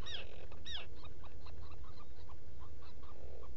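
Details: Black Guillemot inside a nesting burrow on Seal Island NWR, Maine, on 18 June 2018 in the early morning. Two loud, downward-curving whistled notes come first, then a quick run of short, softer piping notes over a steady low rumble.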